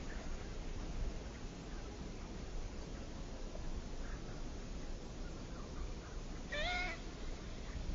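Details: Ringed teal, a small duck, giving one short, rising, nasal, whistle-like call near the end, with harmonics stacked above it, over a steady low rumble of background noise.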